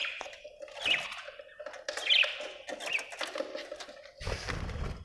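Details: Australian budgerigar chirping softly: a few short warbled notes and squeaky chirps spaced about a second apart over a steady low hum. A rougher, noisy burst comes near the end.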